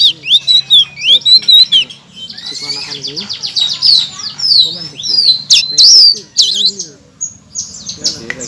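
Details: Blue-crowned laughingthrush as master song for provoking other birds: looping high whistled phrases, then a dense chattering stream of shrill notes and slurs, ending in scattered chirps.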